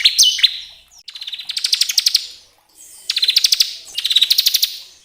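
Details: Bar-winged prinia, a song played to excite caged birds into singing: an opening slurred note followed by rapid dry trills of clicking high pulses in three bursts.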